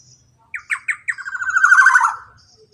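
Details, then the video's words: Male black-naped oriole producing a long 'ropel' rattle to stir silent birds: four spaced rough notes, then a fast, swelling, buzzy trill that sinks a little in pitch and fades. "KEPODANG ROPEEELL PANJANG"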